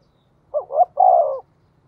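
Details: A single phrase from a Spotted dove in the 'giọng thổ' voice, used as a lure to provoke wild birds: two short rising coos followed by a longer, steady, slowly falling coo.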